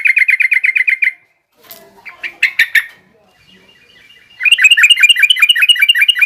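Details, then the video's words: Yellow-vented bulbul song in the garuda and rough ngriwik styles, used to teach young birds: a rapid run of bubbly repeated notes, then a pause with scattered harsher chips, then another dense rolling chatter. "suara burung trucukan garuda lanjut trucukan ngriwik kasar ini pas tuk terapi trucuk muda ajar bunyi"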